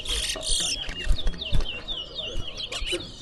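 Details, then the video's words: Competition birds in Berbice, Guyana, pour out quick, high twittering notes and rapid slurred whistles, dense at the start and thinning later, over background voices and handling noise. "Towa Towa Bird Singing Competition in Berbice"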